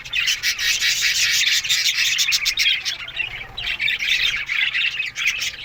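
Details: Morning chorus of many budgerigars kept in an aviary, a continuous busy chatter of sharp chirps, squeaky warbles and harsh squawks overlapping without a break, loud and steady throughout.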